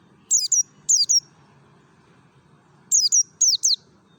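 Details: Wild-style Merapi mountain white-eye used to stir kept white-eyes into song: four paired bursts of piercing, falling whistles, each note trailing into a thin level tone, two pairs early and two after a pause, over faint hum.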